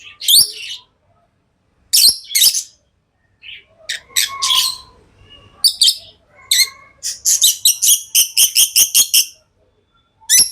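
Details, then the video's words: Pet lovebirds chirping: sharp high squeaky chirps in bursts, with a quick run of about ten evenly spaced shrill notes toward the end, separated by short silences. "Love birds Sounds | lovebirds chirping sounds| parrot beautiful sounds"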